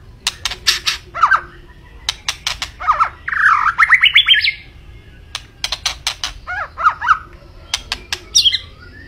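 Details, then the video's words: Vigorous white-rumped shama mixing loud harsh rasps with short whistled phrases and a fast rising series of repeated notes in the middle, ending with a high whistled flourish. "Kicau Burung Murai Batu Gacor"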